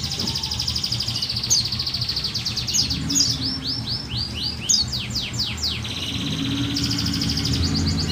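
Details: Female buxtoni white-eye calling to make lazy males sing along: thin, high chirps and rapid series of short sweeping notes, dense through the middle, over a steady low hum.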